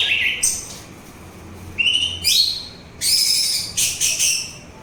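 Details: Song of the orange-headed thrush, played for relaxation and to lure other birds: varied high whistles and dense trilled bursts, with a low background hum.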